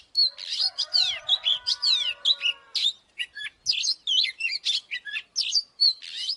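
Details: Oriental magpie-robin, singing to provoke fighting. Continuous bright song of rapid downward-slurred whistles and chirps, about two to three notes a second, varied and high-pitched, with faint low tones at first.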